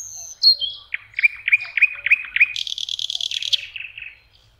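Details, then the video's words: Common nightingale singing on a lake shore in spring, May: a short phrase of a descending whistle, about six rich repeated notes, then a fast buzzy rattle and a brief trill. "Соловьи. Волшебное пение в мае. Nightingale singing"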